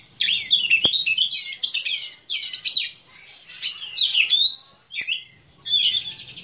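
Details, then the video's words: Black-breasted Oriental magpie-robin, a kept songbird, singing a rich, varied song of high, sweet whistles and slurred rising and falling notes in bursts, with short pauses between phrases and a faint low background hum. "KICAU KACER DADA HITAM"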